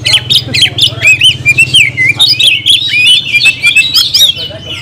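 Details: Oriental magpie-robin (kacer) singing nonstop in gacor nagen style: bouncing looped whistles and quick chirps in a steady flowing stream, with a low droning hum in the background.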